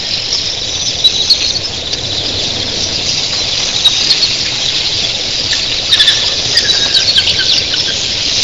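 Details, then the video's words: An early-morning flock of thousands of Red-billed queleas keeps up a dense, unbroken wash of high squeaky chatter, with sharper chirps rising out of the din; their wings sound like surf crashing on a beach. "RED BILLED QUELEAS"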